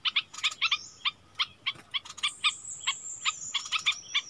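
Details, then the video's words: Caged decoy Streak-eared bulbul recorded 16 February 2021, singing short stacked chirping notes in quick irregular bursts against a hissy background, with a thin steady high whine running underneath. "เสียงนกดอกแตงEp.32ร้องแบบนี้ นกป่าหายหมด!!! Burung merbah lekir gacor"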